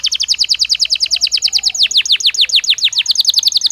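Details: Belgian canary singing naturally, for training a caged bird: a fast trill of clipped downward notes that broadens into slower, fuller descending whistles, then speeds up again.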